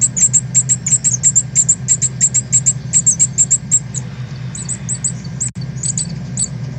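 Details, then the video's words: Northern cardinals at fledging time, as young birds leave the nest and learn to fly, recorded on 13 August 2020: a rapid series of sharp, very high chips, about three per second, then sparser, over a steady low hum. "Northern Cardinals: Time to leave the nest and learn to fly!"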